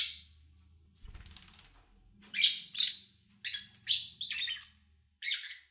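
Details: Lovebird recorded in August 2019 between morning and evening, with little engine or human noise, gives a burst of harsh, high chirps and squeaky twitters, several short shrill notes in quick succession over a few seconds.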